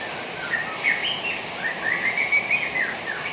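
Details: Juvenile white-rumped shama twittering softly while hearing the sound of rain. Thin, scratchy high chirps and short warbled phrases run almost without pause over a steady hiss of falling rain.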